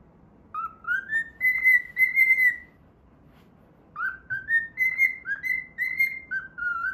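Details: While playing, a cockatiel whistles the Pythagora Switch opening melody. Two phrases of clear notes rise in steps to sustained tones, the second phrase quick and falling slightly at the end, over quiet background noise.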